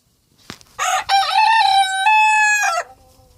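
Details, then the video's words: A pet rooster, which crows all day, crows on being let out for the first time: a single two-second crow with a rough opening note, then a long, steady, nasal tone that cuts off sharply, preceded by a brief sharp burst. "Rooster crowing"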